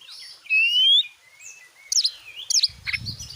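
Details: Oriental magpie-robin singing, used as a lure for other magpie-robins: a clear rising whistle, softer wavering notes and two sharp buzzy bursts, with low rumbling background noise near the end.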